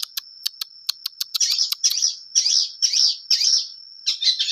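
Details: Long-tailed shrike in energetic song: a series of sharp evenly spaced clicks leading into harsh scratchy chattering phrases repeated about every half second, over a constant thin high tone.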